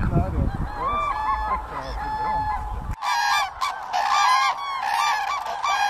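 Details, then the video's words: Common cranes at Lake Hornborga in Sweden give loud, rolling trumpeting calls, several birds overlapping in a noisy chorus, with low rumbling background noise at the start. "Common Cranes"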